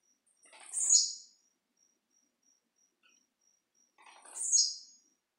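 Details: Blue-black grassquit performing its leaping song: two short, sharp buzzy phrases about three and a half seconds apart, each a quick descending burst, with a faint steady high ticking insect note pulsing throughout.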